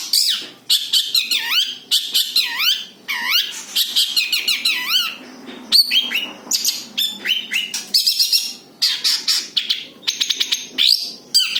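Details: Long-tailed shrike's original song without imitations, meant to lure birds: looping whistled notes that swoop down and up in series, followed by dense harsh chattering bursts and sharp clicks.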